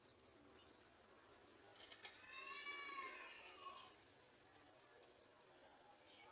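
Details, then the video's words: Young Garden sunbirds in the nest while adults below try to feed them; rapid high-pitched chipping in irregular runs, with a faint lower fluttering, rippling sound in the middle. "Garden sunbird Birds standing under nest trying to feed their young"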